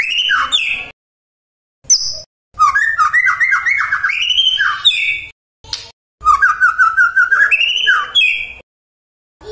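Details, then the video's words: Magpie-robin song for provoking nearby magpie-robins to reply: varied whistles and long rapid rising note series in several bursts broken by brief silent gaps. "AWAS TAJAM❗❗SETIAP MURAI YANG DENGAR, LANGSUNG TERSENTAK MERESPON❗❗"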